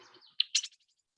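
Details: A male Marsh Wren singing atop reeds in spring nesting season gives a brief, high, buzzy burst of two harsh rattling notes that trail off into faint ticks, over a soft hiss of background noise.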